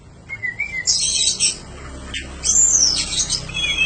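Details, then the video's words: Oriental magpie-robin song, recorded as training material for cage birds: a soft wavering whistle, then bursts of harsh, chattering high notes and a final clear descending whistle. "Suara panjingan masteran burung kacer gacor"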